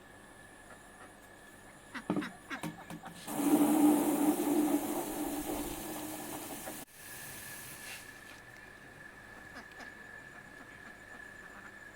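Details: A loud burst of engine-like vehicle noise and hiss over a steady background hum, with no clear animal calls.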